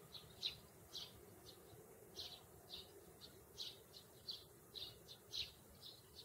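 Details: Two sparrows in a grassy meadow give short, high chirps, repeated irregularly about twice a second, over a soft steady background hiss.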